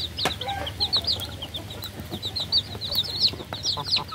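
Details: Chicks giving a steady run of high, thin peeps, each a short falling chirp, repeated more than once a second with slight irregular spacing.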